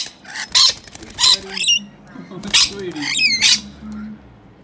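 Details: Two wild rescued baby rainbow lorikeets in a cage, bathing in their drinking water; four harsh, screechy bursts come about once a second, each rough and broad, over soft low murmuring sounds in the background.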